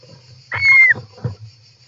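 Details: One European roller call from inside the nest, picked up by a nest camera on 18 July 2024: a loud, harsh, sustained note with a steady whistled tone, followed by soft bumps from birds shifting in the nest.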